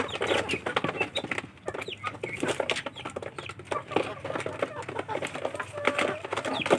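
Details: Village chicken chicks competing for food peep in thin high notes amid constant pecking, scratching and clatter, with a low hum throughout.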